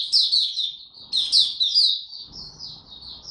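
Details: Young male white-eye singing its maturing song, 9 February 2022: a short, high, rapid twittering of slurred chirps, loud at first and then fading into thinner notes.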